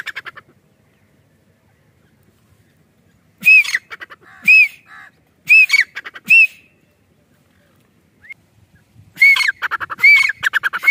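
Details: Grey francolin in a natural village setting gives loud, harsh, ringing notes, four spaced about a second apart, then a quicker run of shrill repeated calls after a pause.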